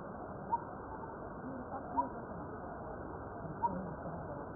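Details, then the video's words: A Coppersmith Barbet gives its metronomic call, three short, hollow, mid-pitched 'tuk' notes like a hammer striking metal, spaced about a second and a half apart, over a steady murmur of background noise. "Coppersmith Barbet Call"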